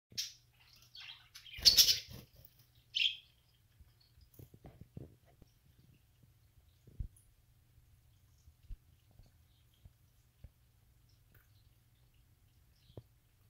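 A budgerigar gives a few sharp, high chirps, followed by quiet with soft knocks and rustles.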